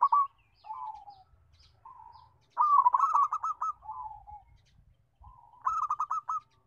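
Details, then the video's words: Local zebra dove, a big-voiced, melodious singer, with several gentle falling coos leading into loud, quick, stuttering runs of bubbling notes, then a pause and another trilled run. "Kutut Lokal Suara Besar MERDU"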